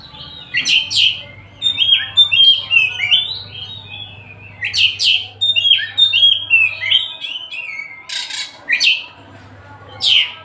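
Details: The kacer Tasik, an Oriental magpie-robin, sings as it likes. Phrases are repeated, each a sharp explosive note followed by descending whistles and chatter, with brief pauses between groups and a low hum beneath.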